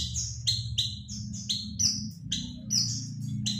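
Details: High, slurred chirps of an Oriental white-eye used as a lure for birds, repeated about three times per second over a steady low droning hum.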